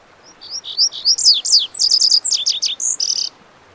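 A Lazuli bunting sings a quick, bright jumble of high sweet notes and slurred buzzy phrases for about three seconds, against a quiet background.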